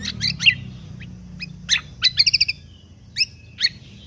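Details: Contest-training recording of a lesser green leafbird. Crisp chirps open the song, followed by a fast run of five ringing notes and a few spaced, high whistled chips.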